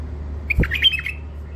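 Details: Wild-caught songbird in its first isolation, from the Mandali area of Iraq, giving a quick chattering burst of sharp, high chirps and short twitters lasting about half a second over a steady low electrical hum.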